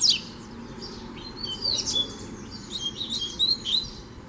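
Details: Free double-collared seedeater taunting a caged bird: thin high whistles and short trills spread through the recording, with clear pure notes in the second half above a low background hum.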